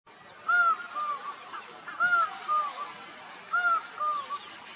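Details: Laughing falcon calling to others in Costa Rica: a loud, clear arched note followed by softer falling notes, the two-part phrase repeated three times, roughly every 1.5 seconds, over faint background hiss.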